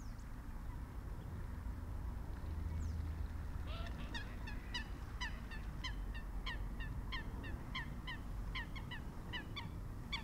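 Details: Common redshanks at Marshside RSPB Reserve, Lancashire, on 24 April 2011; after four seconds of quiet comes a fast series of short, sharp, ringing call notes, several per second, over a steady low wind rumble.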